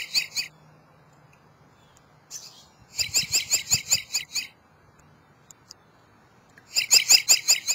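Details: Robin singing on a birdbath, alternating between two different songs. Bright, high notes come in rapid repeated bursts of about eight to ten, separated by pauses of one to two seconds, with clear quiet gaps between phrases.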